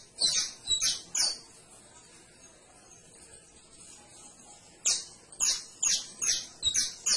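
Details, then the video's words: Canary delivers three quick high chirps, falls quiet for several seconds, then resumes with a fast string of five or six sharp, bright notes. "CANARIO CANTO - 21 MINUTOS DEL AVE CANTANDO"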